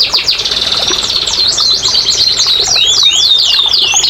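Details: Canary song aimed at getting lazy canaries singing: a dense buzzy trill overlaid with looping, swooping whistled phrases, continuous and high-pitched throughout.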